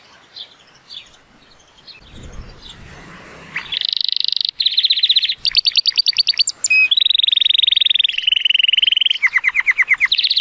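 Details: Timbrado Español canary, a 2018-born male judged at 83 points, on a sunny day: soft faint notes and a brief low rustle give way to loud rolling trills, metallic rattles and sustained even tours at changing pitches.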